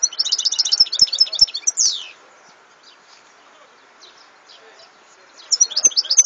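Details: Goldfinch song: a quick run of bright, jangling high twitters ending in a descending slurred note, a pause of over three seconds, then another twittering burst.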